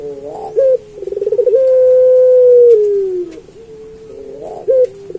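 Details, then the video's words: Master song of a puter pelung turtle dove for training other pelung doves: a short note, a rolling pulsed trill, then an extended low coo that sinks at the end, followed by quieter cooing. "Suara Burung Puter Pelung Masteran"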